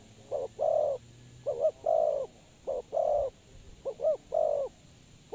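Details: Spotted dove used as a trapping lure, calling in repeated phrases of one or two quick rising notes followed by a longer sustained coo, about four phrases, with faint low rumble beneath.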